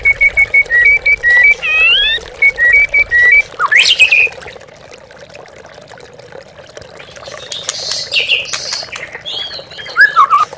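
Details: Oriental magpie-robin lure song for stimulating captive birds: a run of clear repeated level whistles with rising slides, a sudden loud sweep, a quieter gap, then slurred descending whistles, water trickling throughout.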